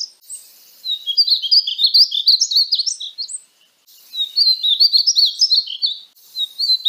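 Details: Painted bunting (Passerina ciris) song: repeated bright, high warbled phrases of quick, twisting chirps, with brief pauses between phrases and a third phrase starting at the end.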